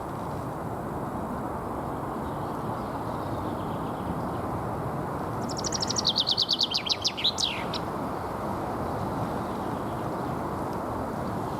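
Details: Common chaffinch defending territory with spring song, Alexander Park, Pushkin, St Petersburg, Russia, 17 April 2021. After several seconds of distant hum, one fast rattling phrase of descending notes ends in a flourish, then the hum resumes.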